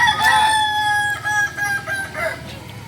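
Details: Crow of a Kukuak Balenggek chicken from Solok: a sustained harmonic, slightly wavering tone, loudest at the start, then fading into shorter pulsed segments toward the end.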